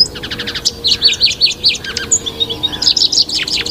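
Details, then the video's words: Lawrence's goldfinch (Spinus lawrencei), a species of California, USA, singing a fast, jumbled run of high tinkling notes and buzzy trills, with a faint low hum underneath. "O canto do Pintassilgo Lawrence"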